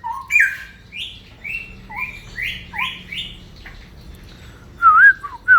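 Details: Cucak rawa, or straw-headed bulbul, singing ropel: spaced clear whistles, several sliding upward, then a rich warbled flourish near the end, over a low background murmur.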